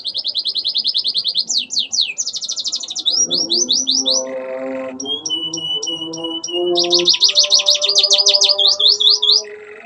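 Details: Canary singing clear loud phrases with Ciblek and Ciwah imitations: fast high trills, descending slurs, a buzzy segment and evenly spaced clicking whistles, a long rapid trill near the end, with soft lower tonal sounds underneath.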